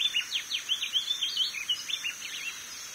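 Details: A chestnut-bellied seedeater delivers a rapid jumble of bright, downward-sweeping chirps and brief whistled phrases, fading toward the close, with a continuous shrill background buzz.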